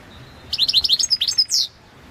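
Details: Balkan European goldfinch, Carduelis carduelis balcanica, in a song championship recording: a single quick phrase of bright, high chirping notes running for about a second, ending in a slurred, buzzy downward note, over a quiet background.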